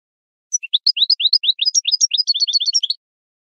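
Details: Training song of a European goldfinch, used to teach captive birds: a single run of quick, high twittering chirps, each note sliding upward, rising into sharper, tinkling notes near the end, with no other sounds.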